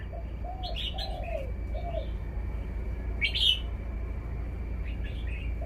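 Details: A caged red-whiskered bulbul gives a few quiet, bright chirped phrases, one stronger near the end. Lower, curved whistles repeat in the background, over steady low hum and a faint high whine.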